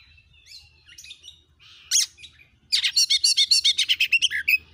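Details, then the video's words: Oriental magpie-robin used as a lure to set other magpie-robins singing, in gacor nembak style: soft scattered twitters, then a loud rapid series of repeated sharp notes. "Kacer jenis manapun bakalan langsung emosi gacor dengan pancingan burung Kacer gacor nembak ini"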